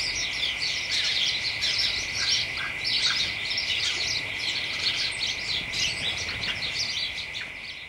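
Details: Early-December late-afternoon chorus of house sparrows with other birds in a hedge, excited chattering of many overlapping bright chirps and short twittering notes without pause, over a constant faint droning tone.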